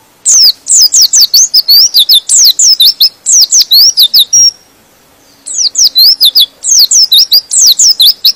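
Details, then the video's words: Gacor-style pleci song to provoke other white-eyes: long, dense runs of sharp, high, rising-and-falling chirps that break off briefly and then resume in equally rapid bursts. "Suara Pleci ini bikin Pleci Lain Emosi dan ikut Gacor"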